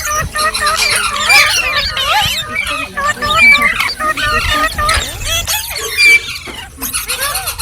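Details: Green parrot, likely rose-ringed parakeet, chattering nonstop: dense wavering whistles, squeaks and harsh notes layered over one another, with a few clear high pure whistles standing out.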